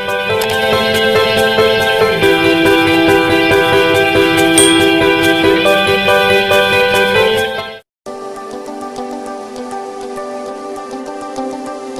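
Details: Steady keyboard music with a regular beat fills the whole clip, pausing briefly near the end before resuming; no animal voice is heard.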